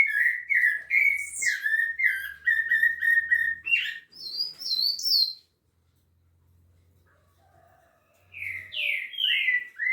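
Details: A rufous-bellied thrush at Piedade sings a burst of rounded, warbling whistles for about four seconds, pauses, then resumes with brief slurred notes; thin high chirps from other birds and a low hum appear meanwhile.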